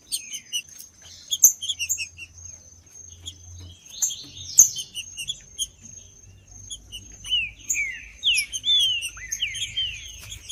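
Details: Captive Green-winged saltator singing, a sound played to warm up a cold bird: sparse chirps at first, then a rich flurry of descending, slurred whistles toward the end.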